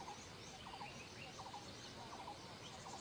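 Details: Fulvous-breasted woodpecker (Dendrocopos macei) at Kamand, Himachal Pradesh, giving short clusters of quick, chattering notes about every two-thirds of a second, over a steady hiss.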